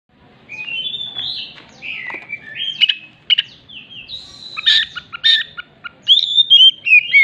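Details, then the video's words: Oriental magpie-robin, a loud singing bird, mimicking a hen clucking after laying: varied whistled phrases sliding up and down, then sharp harsh notes and bright rising whistles in quick irregular bursts. "kacer gacor isian ayam betina yang habis bertelur..betok betok"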